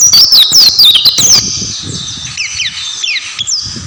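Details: Oriental white-eye singing a rapid jumble of high sliding whistles for over a second, then quieter scattered downslurred notes and a faint background twitter.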